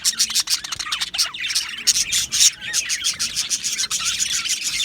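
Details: Colony of Australian budgies in an aviary, 12 July 2025, giving rapid, busy chirps and short scratchy squawks. Several birds call at once, with quick bursts about three a second and a brief lull near the fourth second.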